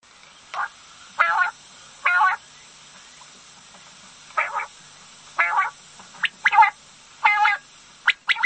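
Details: Female common quail giving short, nasal, harmonic-rich calls in irregular bursts, about nine over eight seconds, some single and some paired, against a quiet, faintly hissing background.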